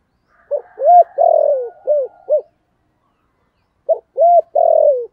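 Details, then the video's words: Spotted dove calling loudly in a Vietnamese 'thổ' voice style: two phrases of five hollow coos, short notes around a longer, falling, rolled middle coo, separated by a pause of about a second and a half. "cu gáy giọng thổ sấm gáy gọi cực đỉnh vang cả xóm"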